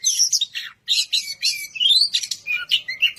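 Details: A kacer, or white-rumped shama, pouring out fast high chirps, then a clean upward-sliding whistle and a few lower fluted notes after one brief pause.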